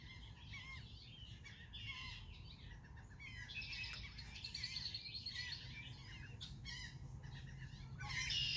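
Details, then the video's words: Red-winged blackbird on the beach at Rehoboth Beach, Delaware, amid busy chattering chirps from several birds. A long buzzy, grating trill stands out mid-way, over a constant low roar of wind or surf. "Red-winged beach bird sounds"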